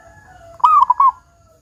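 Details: One rolling cooing phrase of about four quick notes from a vigorous local zebra dove with a big 'kung' voice, a lure to prompt other doves to sing; a steady faint tone and low rumble sound before it.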